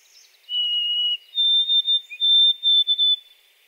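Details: Whistled song of a white-throated sparrow: a sustained pure note followed by a stepped-up series of shorter, evenly spaced whistles on one pitch, with soft chirping behind.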